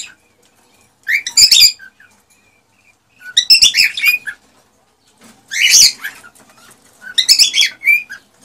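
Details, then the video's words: A male cockatiel sings to arouse the female for mating and breeding, giving four short, harsh chattering bursts about two seconds apart, separated by silence. "تغريد طيور الكوكتيل ( الكروان ) لتحفيزها على التزاوج والانتاج"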